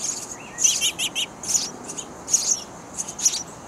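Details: Hungry sparrow chicks in a nest box give clusters of high, hissing chirps with a few lower whistled notes, in bursts about every second.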